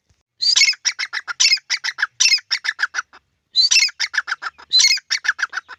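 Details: Grey francolins, a pair called teetar, in a field: two phrases, each opening with a loud, shrill, broad note followed by quick repeated harsh chips, separated by a brief pause.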